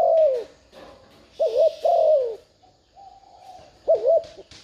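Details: Spotted dove decoy giving 'thúc gù' coos to lure wild doves: low, mellow phrases of a quick double-bounced note followed by a longer falling coo, two full phrases plus fainter, flatter cooing between them.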